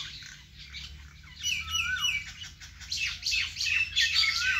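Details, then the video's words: Birds chirping in a vegetable garden: dense bright chirps and twitters, several overlapping callers, with a clear downslurred whistle near two seconds and quick repeated notes through the second half. "natural bird sound"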